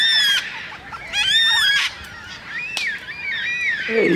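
Yellow-tailed black cockatoos give drawn-out, wavering wailing calls that overlap from several birds of a large flock. The calls rise and fall, with brief harsh bursts between them.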